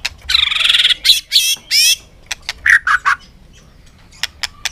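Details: White-rumped shama singing a contest song in the afternoon sun, fired up: harsh buzzy trilled notes first, then short bright whistles and a few sharp clicks, quiet between bursts.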